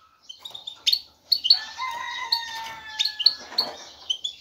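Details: Male European goldfinch calling a female for mating. Sharp chirps and twittering notes over a busier background, where steady lower whistled tones run beneath much of the clip.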